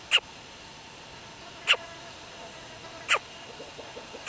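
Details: Fallen greater coucal chick in an Isaan garden, Thailand: four sharp clicking chips at irregular intervals of one to one and a half seconds, with faint softer ticks near the end.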